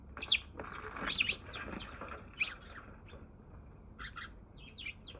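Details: Wild Eurasian tree sparrow recorded in Japan on 27 March, first arrival of the day, in slow motion; sharp, high chirps and twittering notes, some in quick pairs, louder at the start, with faint low rumble.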